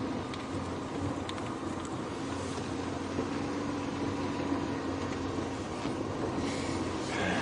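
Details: A steady vehicle engine hum runs throughout with faint rattles, and no animal calls are heard.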